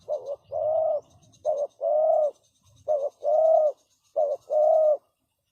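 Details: Spotted dove used for decoy calling to lure birds, repeating a phrase of one short coo followed by a longer, fuller coo three times, with faint high twittering behind and low rustling noises.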